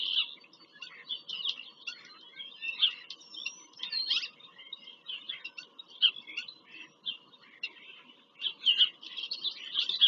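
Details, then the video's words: Bald eagles at their nest in Pennsylvania farm country, recorded by a live nest camera on 5 February 2023. Quieter, continuous high chittering and clicky notes run throughout, with a faint steady hum underneath. "bieliki - wizyta w gnieździe"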